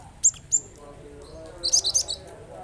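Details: Cinereous tit song played so that other, quiet birds respond and start singing: two sharp high chirps, then a quick cluster of four bright high notes after a pause, over a faint low steady hum.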